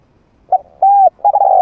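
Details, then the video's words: Trained decoy spotted dove with a medium-pitched voice, used to draw wild doves in to fight: a short hoarse note, then a smooth arched coo, then a longer trilled coo that slides downward, with a quiet background. "เสียงนกฝึก นกเขาใหญ่เสียงกลาง เปิดต่อนกป่ากล้าเข้าสู้ไม่ตื่น"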